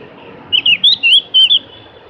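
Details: Javan grey-throated white-eye, called cak gentong locally, giving a lively phrase of six or so loud looping whistles within one second, over quiet low noise.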